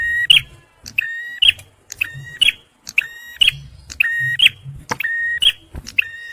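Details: Song of a male bar-winged prinia, meant for luring and for prompting stressed birds. Short nasal buzzy notes, each closed by a bright clipped chip, repeat steadily about once per second over a faint low hum.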